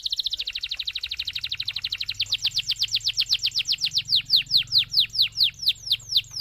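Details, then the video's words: Canary in full song, recorded to coax other canaries to sing: a very rapid trill that gradually slows into distinct, separated down-slurred notes, with a faint low hum underneath. "MASTERAN suara BURUNG KENARI GACOR PANJANG || COCOK untuk PANCINGAN KENARI lain"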